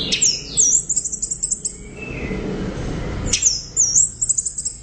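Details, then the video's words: Orange-headed thrush giving loud bursts of very high, rapid looping whistles and chips, separated by a pause of about two seconds. "ANIS Merah Gacor Volume Keras Teler Mantap"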